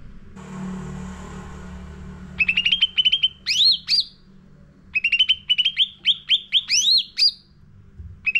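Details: Lure song of a sooty-headed bulbul for training caged birds. A faint hum gives way to bursts of rapid stuttering notes mixed with loud rising whistled sweeps, repeated in two energetic runs.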